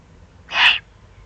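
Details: Eurasian eagle-owl below its nest site in the Eifel, 31 May 2020: one harsh, breathy hissing rasp of about a third of a second, loud and broad, set against a faint low rumble.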